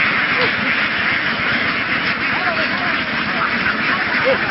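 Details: Flock of laying ducks in Vietnam, herded across fields and onto a boat to be moved, giving a dense, continuous chorus of overlapping raspy quacks with steady broadband background noise.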